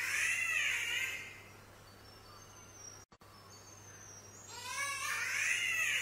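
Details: Spotted catbird in Australia, its voice likened to a cat: a drawn-out, wavering, nasal wail at the start and again near the end, with a quiet gap of faint hiss between.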